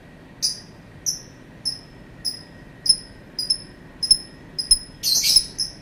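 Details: Lovebird repeating short, thin, high chirps that fall slightly in pitch, about one every half second and quickening, with a brief loud screechy burst near the end.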